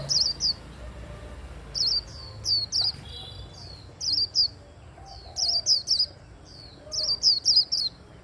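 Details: Japanese white-eye singing in the hand after being stimulated: clusters of quick, very high, sharply descending twitters in uneven groups, with a little faint background noise.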